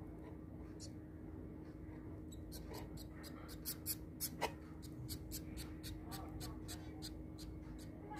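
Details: A zebra finch chick being hand-fed gives rapid, scratchy high ticks in quick succession, begging for food.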